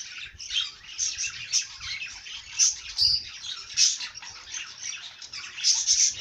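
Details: Bird singing: unbroken, busy high-pitched twittering and chirps that swell in repeated bursts roughly every second, with clear piercing whistle notes at about 2.6, 3 and 5.8 seconds.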